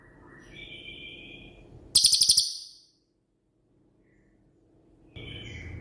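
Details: Cililin, a shooting-type songbird suited as master song for birds like magpie robins and leafbirds: a steady whistled note, then a loud, very high rattle of seven rapid pulses, silence, and another whistle.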